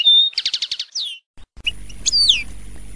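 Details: European goldfinch giving a short run of bright, repeated twittering notes, then a pause and a couple of thin, downslurred whistles over a low background hum.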